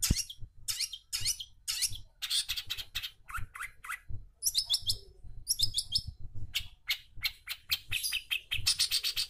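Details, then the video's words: A long-tailed shrike singing busily, used to prompt reluctant shrikes to sing, pours out a dense stream of shrill, scratchy chirps and squeaky phrases. Bursts are separated by brief pauses, and faint low rumbling sits beneath. "CENDET GACOR"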